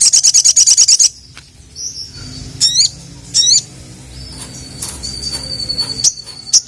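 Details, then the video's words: A second-long shrill, rapid trill from a ruby-cheeked sunbird challenging rivals, then zigzag chirps and a long thin high whistle against a faint low hum. "SOGON GACOR MEMANGGIL LAWAN, BIKIN BURUNG SOGON SIAPAPUN LANGSUNG NYAUT DAN EMOSI"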